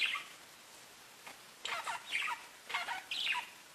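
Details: Parakeets talking to each other: a few short, scratchy warbled chirps in bursts after a quiet pause, fairly soft.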